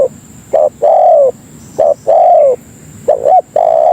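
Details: Lure call of a spotted dove (tekukur) meant to call companions: brief clipped notes leading into long, gently descending coos, several in quick succession, low and mellow with a quiet backdrop.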